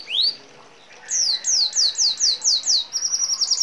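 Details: Red siskin song for a training master: one rising whistle, a pause, then six evenly spaced, sharply falling clear notes about two per second, followed by faster high chips.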